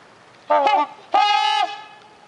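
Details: Two honks from trumpeter swans at a bird sanctuary: a short nasal blast, then a longer, steady, horn-like note.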